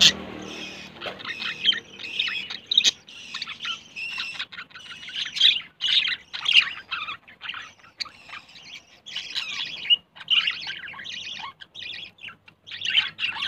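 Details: Budgerigar couple, a yellow male and blue female, pairing and looking for a nest; bursts of buzzy warbling and squeaky chirps broken by brief pauses.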